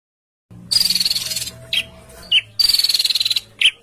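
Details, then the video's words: Songbird giving harsh 'besetan kasar' training sounds for caged birds and contests: long buzzy rasping bursts, each about a second, broken by short sharp downslurred notes, over a faint low hum. "MASTERAN BESETAN KASAR|| Bringas Kasar suara BESETAN kasar"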